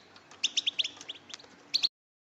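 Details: Female European goldfinches calling to excite and stimulate males into song: a quick run of high, bright twittering chirps lasting about a second and a half, then a short final burst before silence.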